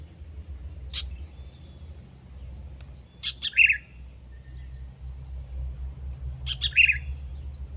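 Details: Sooty-headed bulbul with brief chirpy whistled phrases spaced about three seconds apart, each a quick cluster of sharp notes, over a steady low background rumble.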